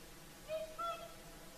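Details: Evening singing of whooper swans by Lake Saimaa in Finland at sunset: a quick two-part bugle, a lower honk followed at once by a higher, longer trumpeting note.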